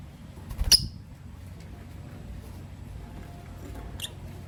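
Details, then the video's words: Lovebirds, a green Personata and a pastel white bird, in the morning: one sharp, shrill high chirp near the start, then a second shorter, fainter chirp a few seconds later over quiet low background hum. "Relaxing Lovebird Chirping Sounds from Green Personata & Pastel White"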